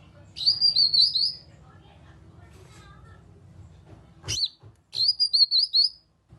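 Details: Lure call of a grey-cheeked bulbul for coaxing other birds to answer: two matching phrases of five fast, wavering high whistles, separated by a sharp click and a few seconds of low hum.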